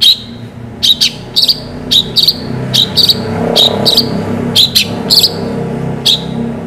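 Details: Long-tailed shrike in full song with sharp 'shot' phrasing: a rapid series of harsh, buzzy high bursts, often paired, over a rising low rumble of traffic-like background noise.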